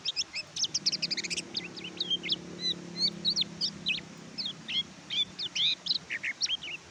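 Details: Oriental white-eye (kecial kuning) song meant as a training recording for birds reluctant to sing: a busy stream of high, thin twittering notes, a dense chattering burst at the start, then spaced slurred notes over low hum.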